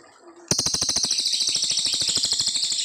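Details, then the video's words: Brown fulvetta master song for training young white-rumped shamas; after a brief quiet start, a loud, high, evenly pulsed rattling trill runs on unbroken. "Cililin gacor panjang"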